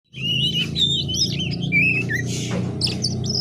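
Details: Young oriental magpie-robin learning the twittering ngiriwik song, used as a training lure: thin wavering whistles and short slurred phrases at high pitch, over a steady low hum.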